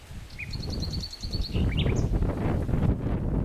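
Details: Common nightingale singing: a short rising note, then a quick series of clear repeated notes, followed by a few sharp varied chirps over steady rustling background noise.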